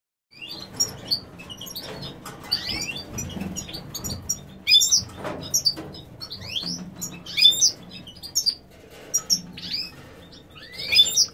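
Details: A female lutino European goldfinch sings a run of high, thin twittering notes and short sweeping chirps, delivered in uneven bursts with brief pauses, over a faint low hum.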